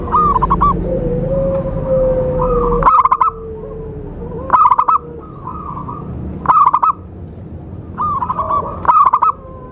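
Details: Zebra dove cooing played as a trapping lure: four bursts of quick stuttering notes run into short rolled coos, spaced roughly two seconds apart, with softer coos between, a drawn-out whistle early on, low background hum and a faint steady high tone.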